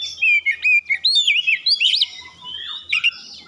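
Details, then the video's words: Oriental magpie-robin song used to spur other birds: a rapid string of rolling, wavy whistles, then a quieter drawn-out note with a final short flourish. "pancingan Kacer ampuh langsung gacor"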